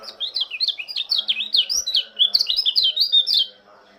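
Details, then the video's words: Morning song of an Oriental white-eye from Lombok, hailed as the greeter of the dawn dew: a continuous, lively chatter of high, rapid, zigzagging whistled notes lasting about three and a half seconds before ending abruptly. "Kicauan burung pleci lombok sang penyambut embun pagi"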